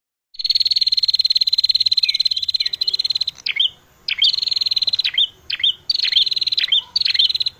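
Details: Red-headed prinia lure call: a long, loud buzzy trill held for about three seconds, then short separated bursts of rapid ticking buzz, each led by a sharp upward flick, repeated roughly every half second.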